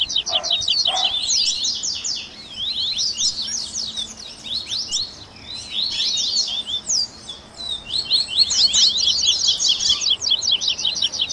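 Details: Double-collared seedeaters in a 'baderninha' warm-up recording meant to stimulate a captive bird to sing: dense, overlapping high chirps and rapid downward-sweeping notes, with bursts separated by brief quieter gaps.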